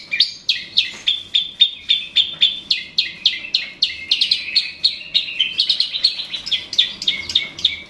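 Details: A long-tailed shrike, used to provoke rival birds, gives sharp, scratchy chips and high notes in a fast run of about three to four per second, with a harsh, jumbled edge.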